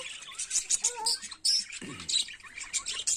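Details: Budgerigar song heard in the morning, with quick bright chirps and scratchy twitters in short bursts and a brief low murmur near the middle.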